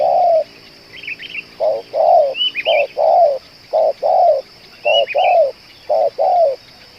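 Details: Spotted dove coos, from a bird noted for calling two hours without stopping and used for luring. Short-long paired coos repeat evenly, with faint high twittering from small birds above.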